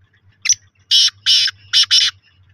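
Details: Loud black francolin call, the kala tatter: one short clipped note, then a rhythmic run of four harsh, crackling syllables in two pairs, with a faint low hum in the background.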